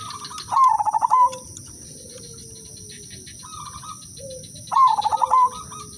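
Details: Zebra dove singing a melodious udanmas silver lure song: two strong phrases of rapid stuttering coos about four seconds apart, with quieter dove phrases and a low sliding note from other birds between them.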